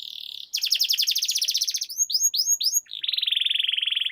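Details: Canary song with long 'ngerol' rolls: a steady buzzy tone, a fast pulsing trill, a few swooping whistles, then a prolonged even buzzy roll.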